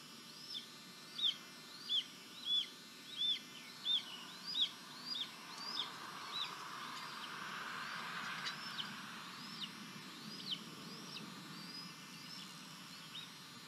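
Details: Red-tailed hawk nest in Tennessee, June 18, 2023: a leucistic adult delivers a small bird and a youngster feeds itself. Loud, high arched calls come every 0.6 seconds, then weaken into softer, sparser ones as a low rumble swells midway.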